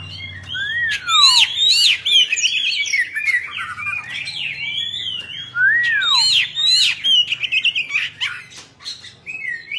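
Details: Caged Oriental magpie-robin of the 'Bạch Bạng' type, singing while fanning its tail: a loud, varied run of clear whistles, with slurred notes falling steeply and sharp high chips, a brief pause near six seconds, over a faint low hum.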